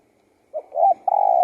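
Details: Spotted dove singing a single low cooing phrase: a short soft note, a slightly longer coo, then a drawn-out, steady hoot that continues to the end of the clip, with quiet surroundings.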